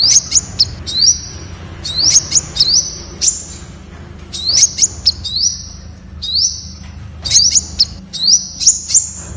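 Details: Temminck's sunbird (Aethopyga temminckii) song: high, thin twittering notes with short upswept trills, in quick bursts about every second or two.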